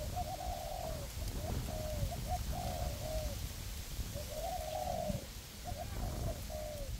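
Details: Two decoy spotted doves, a tree-perch decoy and a ground decoy, cooing in a forest to entice wild doves for trapping; repeated gentle coo phrases over steady hiss and low rumble.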